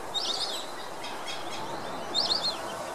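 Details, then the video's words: A flock of White-faced whistling ducks on a lake in Curitiba, Brazil, gives two bursts of high, thin whistled calls, one near the start and one near the end, over steady outdoor background noise. "BANDO DE IRERÊS"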